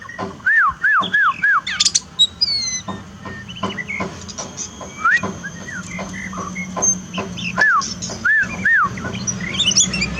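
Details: Oriental magpie-robin, a kept bird used in a therapy to restore song to a bird that sings little after moulting. Clear arched whistles come in quick groups of two or three, separated by pauses, over a steady low hum.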